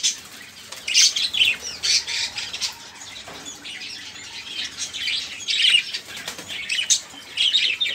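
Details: Caged budgerigars chattering noisily, used as a lure to get other songbirds singing; continuous overlapping scratchy warbles and squeaks with repeated louder bursts throughout.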